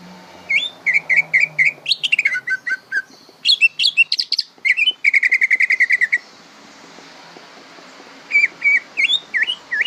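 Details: Young greater green leafbird practising its song: a busy run of whistled notes, rapid chattering trills and fast repeated buzzy phrases, a pause, then curling upslurred whistles.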